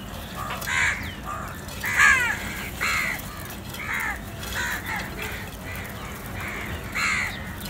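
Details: Black crows eating and feeding together, one calling others to food: a steady series of hoarse, harsh caws, roughly one every second, over a constant noisy outdoor background.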